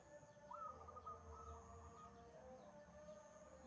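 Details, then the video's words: A single wild zebra dove song phrase: an abrupt upslurred note followed by a rapid run of soft, even cooing pulses, fading into low rumble and a constant thin high tone. "PERKUTUT LIAR GACOR"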